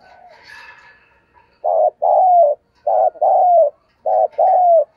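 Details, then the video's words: Spotted dove cooing, a call used to lure and stimulate other doves. Three phrases each have a short hollow note followed by a longer coo that slides slightly downward, repeated about once a second after a faint muffled start. "tiếng kêu của chim cu gáy âm thanh rất chuẩn để kích bổi/ thúc gù bài bản"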